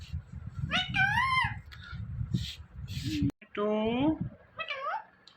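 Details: Indian ringneck parrot, a pet talking bird kept indoors, mimicking words in a run of short voiced syllables with bending harmonic tones, two bursts separated by a brief pause, with faint low room noise underneath.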